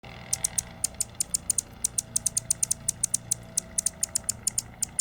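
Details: A bird nesting inside a tree gives sharp, very high ticking chips, about five or six a second in a steady run, over a faint low hum.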